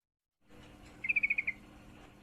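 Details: A single brisk chatter from a female yellow-vented bulbul in heat calling a male: seven rapid, evenly spaced bright notes lasting about half a second over a soft background hiss.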